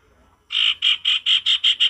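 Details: Male sirtu singing in the wild, a natural forest sound: a run of eight loud, harsh, buzzy notes repeated evenly about five times a second after a short quiet start, with no other clear sounds.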